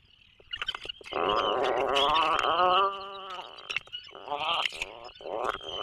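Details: Atlantic puffin in its nesting burrow off the Maine coast during breeding season: a loud, rattling, throaty groan lasting about two seconds, then shorter pulsed bursts, over a constant high hiss.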